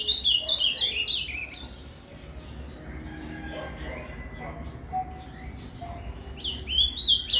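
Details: Azulão, the ultramarine grosbeak, in Paraná canto fibra song meant to stimulate a caged bird: a fast burst of sharp warbled notes opens and closes the stretch, with quieter scattered chirps and low hum between.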